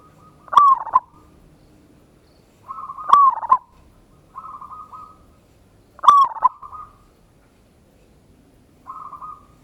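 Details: Zebra dove, local type, singing a loud lure song to raise other doves' urge to call. Rolling coo phrases with sharp opening clicks repeat roughly every three seconds, alternating with flatter, softer held notes.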